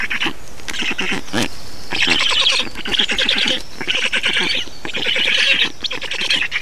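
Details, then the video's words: Black storks feeding in Estonia on 2 June 2019: several loud bouts of scratchy, rattling calls with short pauses, plus a few lower nasal notes early on. "Estonian Black Storks - Feeding"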